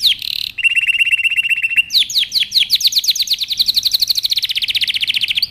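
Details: Canary training song: a loud run of rapid high trills, a steady buzzy rattle, then a long series of quick downward-swept whistled notes repeated several times a second, with no other sounds.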